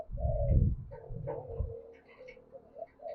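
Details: Cooing of a spotted dove used as a lure for doves, low smooth coo notes over a heavy, continuous low rumble.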